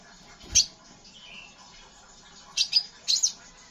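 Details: Scarlet minivet giving ngeriwik chirps, played to get other birds singing: one sharp high note, a faint lower slur, then two quick pairs of piercing down-slurred chirps near the end, with constant hiss behind.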